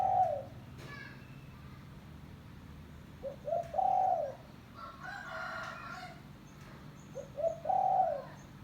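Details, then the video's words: Spotted dove lure call: phrases of short coos leading to a longer hoot, about three seconds apart, with a brief rougher, higher call from another bird in the middle. "Suara Burung Tekukur Kampung - Suara Panggilan Pikat Terkukur"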